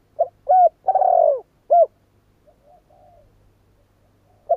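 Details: Spotted dove cooing: a short low coo, a longer rough, falling coo, then another short coo, with a faint trailing murmur and a fresh coo starting at the end; quiet low hum behind.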